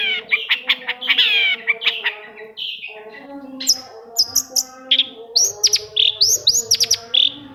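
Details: Long-tailed shrike singing as a lure recording meant to get silent shrikes singing day and night: bursts of rapid scratchy chirps, then sharp high whistled upslurs and clipped notes, with a quiet low hum underneath.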